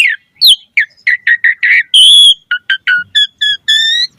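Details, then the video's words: Asian pied starling, a singing bird, giving a varied string of short whistled notes around mid pitch, some rising, then longer harmonic whistles and repeated two-part phrases; clean recording with no other sounds. "Suara Jalak Suren Gacor Full Variasi Materi Ocehan"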